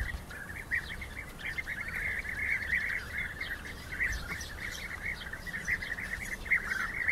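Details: European bee-eaters clashing as rivals: an unbroken wash of burry, trilling calls from several birds, with faint higher chirps scattered over it.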